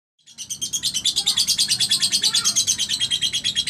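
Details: Single berina lovebird delivering a long, fast chattering trill: dense, buzzy high pulses repeated about eight times a second, steady and unbroken after a short lead-in.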